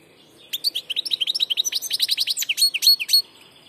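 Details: A nearly three-second, unbroken run of quick, tinkling goldfinch twitters, repeated at a fast, steady pace and growing louder toward the end, from a bird described as a passage European goldfinch.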